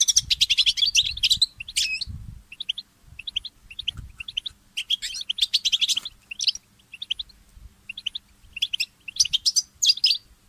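A goldfinch mule sings in fast, twittering bursts of high trills and liquid notes, with scattered single chirps between phrases and faint low thumps.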